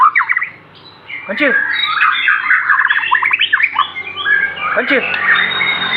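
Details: Aceh-type white-rumped shama singing an elaborate song: bursts of quick descending slurs, dense chattering and twittering notes, and a sharp rising whistle, with low hum in the background.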